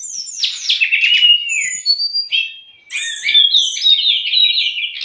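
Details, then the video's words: White-rumped shama in a tutor and lure recording for young or stressed birds: downward-sweeping whistles and harsh chatter, a brief pause, then a run of rapid warbling trills. "MASTERAN DAN PANCINGAN SRDC"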